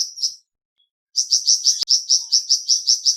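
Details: Flamboyan bird giving a quick chain of high, bright chip notes, roughly three per second, after a short opening note and a second of silence; a single click midway.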